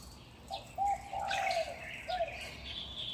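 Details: Utility-pole birds at Huanan New Village, Taipei, Taiwan, about 5:25 am in May 2019: low, mellow cooing notes rise and fall in a short phrase, with high, slurred whistles and chirps behind.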